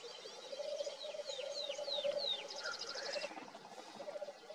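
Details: Male black grouse in Svinndal on a fine April night, 27 April 2019: a steady low cooing bubble rolls on without pause, overlaid by other birds' thin descending whistles and a rapid high trill.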